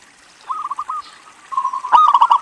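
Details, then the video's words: Local Indonesian zebra dove in full song, used to prompt other zebra doves to sing: two bursts of rapid, rolling cooing notes at a steady mid pitch, the second louder and opening with a sharp knock. "PERKUTUT LOKAL GACOR INI PALING BANYAK DICARI UNTUK PANCINGAN"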